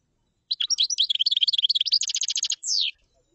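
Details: Common chaffinch song: a lively run of high varied notes becomes a rapid, regular trill and finishes with a long descending slur, all within about two and a half seconds.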